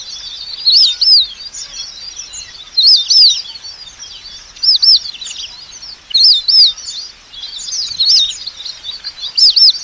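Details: ['Red avadavat calling: bright, high squeaky notes in paired upslurred-downslurred arcs, repeated roughly every two seconds over a continuous background of thin, high twittering.']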